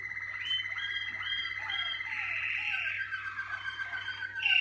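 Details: Malinois Waterslager canary warming up in the cabinet. Repeated short descending notes blend into a gurgling, water-like roll, over a faint low hum.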